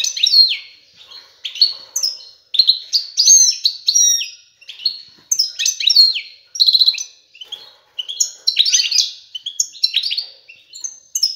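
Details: Continuous, vigorous courtship song of a male European goldfinch directed at a female, meant to prompt mating and nest building: rapid tumbling high twitters, chirps and jingling trills almost without pause.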